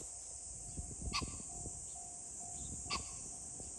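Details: Pheasant calling on 21 July 2024: two short, harsh, strained bursts about 1.8 seconds apart, rising sharply in pitch, over a constant high shrill hiss and faint low rumble.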